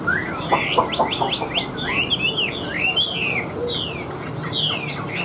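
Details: A wild Chinese hwamei (Garrulax canorus) sings loud, rich phrases of rising and falling whistles and slurred notes in quick bursts, with faint background hiss; its voice is described as strong and taut.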